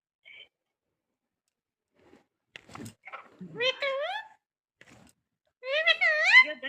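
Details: Pet parrot talking in a quiet room: scattered clicks, then two clear rising-and-falling harmonic speech-like phrases near 3.5 s and 6 s, with a short chirp at the start.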